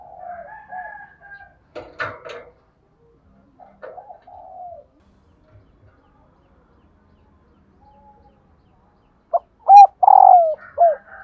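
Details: {'caption': 'Female spotted dove call meant to make decoy males coo: soft distant coos and a rustle at first, then a loud burst near the end of short clipped notes and a long hoarse descending coo.'}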